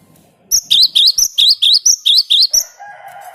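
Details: Loud cinereous tit song used for luring: about eleven sharp, high double notes repeated briskly and evenly, followed by a softer lower warbling tone.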